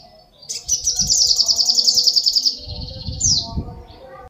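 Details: Little spiderhunter in lively song, a rapid high trill of clipped repeated notes lasting about two seconds, ending in a short sharp flourish, over low rumbling background noise.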